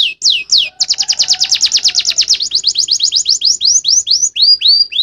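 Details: Canary singing in full voice: a few high swooping whistles, then a long rapid train of sharp downslurred notes that slows into evenly spaced whistled slurs, with a faint low hum behind.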